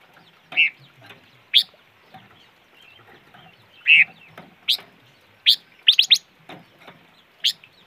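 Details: Calls of a bird locally named the five-coloured bird: short, clear notes mixed with sharp, high, clipped chips, some in a quick cluster of three, irregularly spaced over quiet background noise.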